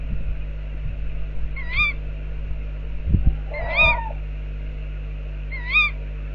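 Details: Outside an owl box, tawny owls give three sharp harmonic calls about two seconds apart, the middle one joined by a lower, rougher overlapping call, amid low knocks and a steady hum.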